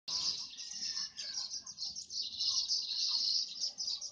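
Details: Weavers building nests, competing, in an olive tree behind a house, chatter in a dense, continuous chorus of high, buzzy, sizzling notes, many birds calling at once with no clear pauses.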